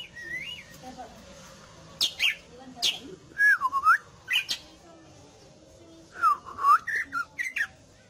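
A leafbird sings bursts of looping, rising-and-falling whistles mixed with sharp, rapid chips, phrases coming every second or so with short pauses.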